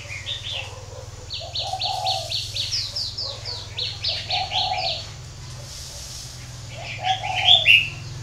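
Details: Low, mellow cooing from a spotted dove kept at a breeding garden in Ba Vì, northern Vietnam, heard in three short phrases under a run of rapid, high descending chirps from small birds and a steady low hum.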